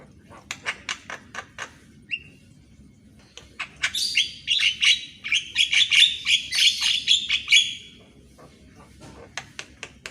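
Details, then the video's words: Javan myna singing in the morning, recorded as training material for birds: sharp repeated clicking notes, then a loud burst of harsh, chattering high notes for about four seconds, then more spaced clicks over a low background hum. "MASTERAN BURUNG JALAK KEBO DI PAGI HARI !!"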